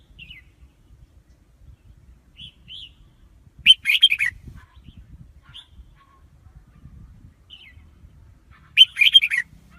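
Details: Two lively warbling phrases of a red-whiskered bulbul, roughly five seconds apart, with faint short whistles and chirps between them and a soft low hum underneath.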